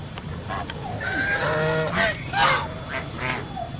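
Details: Mixed goose calls overlap in a flock: drawn-out nasal notes and short honks with harmonics, growing louder around two and a half seconds, then a few fainter calls, over low background rumble.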